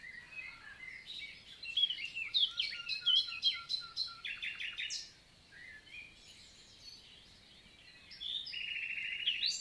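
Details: Summer-morning song of a common nightingale (Luscinia megarhynchos), recorded 11 June 2023 in forest of the Célé valley, Lot, south of France: varied high phrases of sharp clicks, whistles and rapid trills, a brief pause, then a buzzy sustained phrase.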